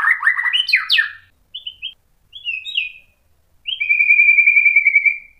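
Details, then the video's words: White-rumped shama song to provoke other shamas: fast tumbling whistles and sweeps, short chirped notes, then a long steady whistle. "KICAUAN MURAI BATU bikin NYAUT EMOSI jadi BUNYI GACOR NGEPLONG BONGKAR ISIAN | PANCINGAN MURAI"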